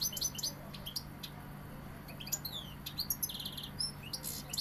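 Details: Sevillian European goldfinch giving sparse, scattered high chirps and short twittered phrases separated by brief pauses, over a steady low electrical hum.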